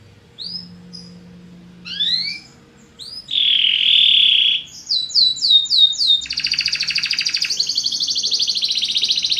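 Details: Belgian canary singing, meant to stimulate other birds: sparse rising whistles, then a loud buzzy trill, a run of quick repeated upslurred notes and a long rapid high rolling trill to the end.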